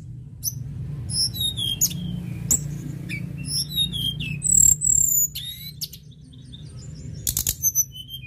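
Sunda robin singing a fast run of high, thin, varied chirps and whistled notes, some rising and some falling, over a steady low hum.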